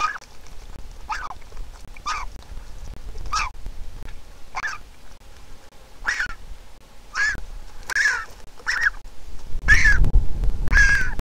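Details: Griffon vulture nestling on an Israeli nest camera begs while its mother arrives with food: a long series of about thirteen hoarse, nasal squeaks, louder and quicker near the end, joined by low rumbling and shuffling at the nest.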